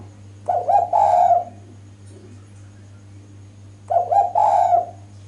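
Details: Spotted dove hen giving her lure call for males, two phrases about three seconds apart, each a couple of short low coos running into a longer throaty coo, with constant low hum behind.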